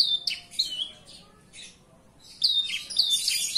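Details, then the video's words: Javan bush lark singing indoors, described as in full, lively voice: bright high chirps and twittering phrases in two bursts, the first fading out and a louder, denser burst after a quiet pause. "Branjangan dalam ruangan super gacor"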